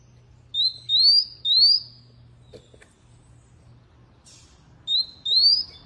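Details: Canary singing two short phrases of high, sweet, rising whistles, each note sliding upward, with a quiet pause between them and a faint low hum in the background.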